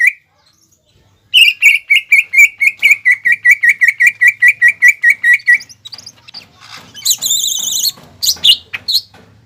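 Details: Greater green leafbird in mbeset song to provoke rivals: a fast, even series of about twenty clipped whistles, followed by harsher high chattering notes over a faint low hum.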